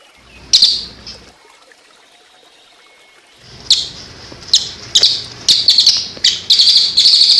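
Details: Cililin song in the tembakan style, combined with the sound of water for songbird training: scattered short, sharp high chips and brief trill bursts, growing busier toward the end over a soft trickling background.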